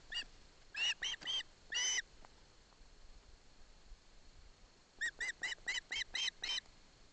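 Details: Osprey chick in Barlinek Forest receiving fish from its father, mother nearby: two bursts of clear, ringing chirps, four or five notes each, separated by several seconds of hissy quiet.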